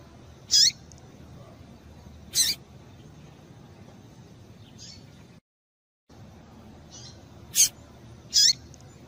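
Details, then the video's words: Calls of a female double-collared seedeater, used to stir up a male: a few thin, high chirps with a quick pitch bend, separated by sharp dry clicks, a brief silent gap midway, and low steady hiss. "Piado de Fêmea de Coleiro para Esquentar o Macho"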